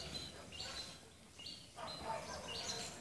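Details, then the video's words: Tickell's blue flycatcher in Sri Lanka giving thin, high whistled notes in short sliding phrases, repeated over about three seconds against a steady background hiss. "Tickell's Blue Flycatcher"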